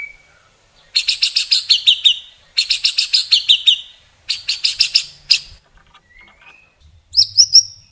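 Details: White-rumped shama song with many imitated phrases: three bursts of rapid, harmonically rich descending notes separated by pauses, then soft thin whistles and a sharp rising-falling phrase.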